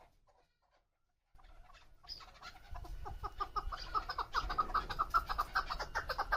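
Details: Female chukar partridge kept for hunting, calling in excited mood: after a quiet start, a run of quick clucking notes builds steadily in loudness, repeated about two to three times a second, over low background rumble.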